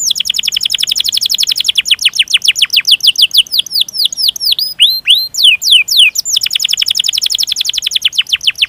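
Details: Canary song used as a master recording to stimulate other canaries: a long roll of fast repeated descending whistled notes, slowing into separate downward-sweeping chirps midway, then speeding back into a rapid roll.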